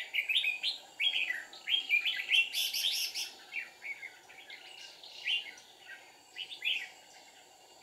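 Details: Decoy red-whiskered bulbul singing during a deep-forest trapping session, 1 April 2019: dense, lively chatter of quick, slurred whistles, about ninety notes a minute, with a brief higher squeaky burst mid-phrase and a constant hum behind.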